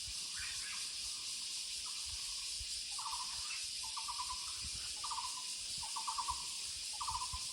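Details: In the woods a Muller's barbet delivers a steady sequence of short pulsed bursts, about one every second or so, with occasional higher notes early on and an unbroken high insect drone throughout.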